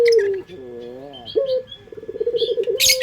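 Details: Short stretch of puter pelung collared dove lure song: the tail of a falling coo, wavering descending notes, then a rising note and a quick pulsed run of coos, with high chirps of other birds.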